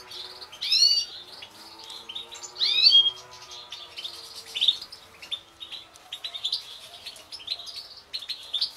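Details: A caged European goldfinch mutation from a 2016 breeding season sings loud, sweeping whistled phrases, then a run of quieter, rapid chattering twitters to the end.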